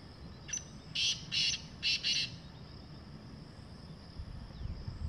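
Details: Calling wild black francolin (kala teetar) in jungle, uttering a short series of four rasping, scratchy notes grouped in pairs, then quiet ambient hiss for the remainder.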